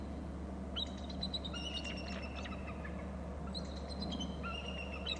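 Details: On a Hornby Island nest and territory camera, a bald eagle calls as a third eagle enters the territory: two clusters of high, thin whistled notes, some held briefly, against a constant low electrical hum.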